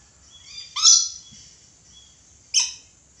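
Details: Red lory uttering two loud, harsh, broadband screeches about two seconds apart, each with a falling tail, against a quiet background.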